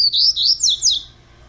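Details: Young double-collared seedeater, captive-bred, delivering a rapid run of four bright high slurred whistles that fades out quickly.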